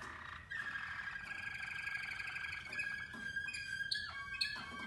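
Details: Waterslager canaries of Spanish Mateos bloodline in a group of four during song training: sustained pure whistled notes at a steady pitch, held for several seconds, with gentle rolls and short pitch drops.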